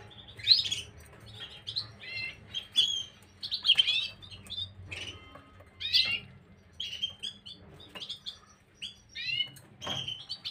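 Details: A Gloster canary on 9 January 2023 gives scattered sharp chirps, clicks and short whistled trills in irregular bursts, a low hum running throughout.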